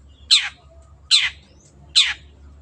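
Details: Long-tailed shrike, recorded as tutor sound for caged birds, giving three loud rasping downward-sweeping squawks spaced roughly 0.8 seconds apart over a low hum.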